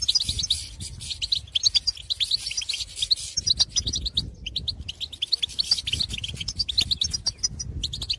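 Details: European goldfinches in the field, calling to others of their kind with pitorreos and call notes: dense, rapid tinkling twitters and short liquid chirps that run almost without pause, with a faint low rumble beneath.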